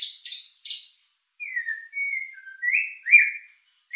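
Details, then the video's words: White-rumped shama, a lure song with rich fill meant to stir emotion and breeding drive: clear whistled notes, some sliding downward and others rising, after short bright chirps, with pauses between phrases. "Pancingan murai batu isian mewah mendongkrak emosi&birahi"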